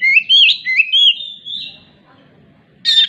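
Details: Oriental magpie-robin song, said to include imitation of a laying hen's clucking: looping whistled phrases rising and falling, a long steady whistle fading out, a quiet pause, then a sudden harsh rasping note.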